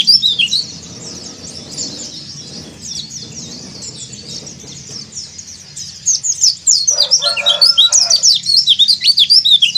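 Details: White-eye in breeding condition calling rivals, dakbal style: dense, rapid, high-pitched chirps and twittering notes tumbling continuously, quieter mid-clip, then loud sharp chirps in quick succession, with a brief lower buzzy tone near the end.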